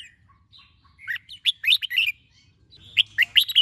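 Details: Morning song of a Red-whiskered bulbul, used to train birds to sing. Soft thin notes lead into a rapid, lively run of sharp whistles. A brief pause follows, then a second bright, warbling burst.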